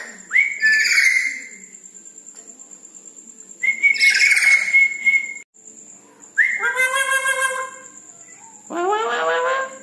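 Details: Red-breasted parakeet in vigorous night song: sharp rising whistles with noisy overtones, a long level whistle, then richly harmonic, nasal calls that bend downward, separated by quiet gaps and a faint steady hum.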